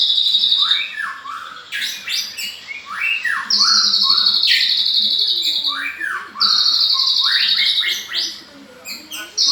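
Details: White-rumped shama singing vigorously: loud drawn-out high buzzy notes broken by fast descending whistled sweeps and clicky bursts, phrases repeating every couple of seconds.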